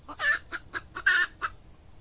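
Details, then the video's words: Decoy hen red junglefowl calling to draw in wild males in peat scrub. Short clucks alternate with two louder, harsher squawking bursts within two seconds. A thin, constant insect tone sits high in the background. "Ayam Hutan Pikat Betina"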